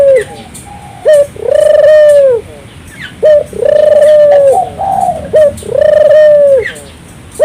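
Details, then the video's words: Turtle dove in full song, used as a lure to make local doves sing along; a pattern of a short sharp note then a long sustained coo, repeated three times at roughly two-second gaps. "suara burung puter gacor, merangsang burung puter lokal ikut gacor"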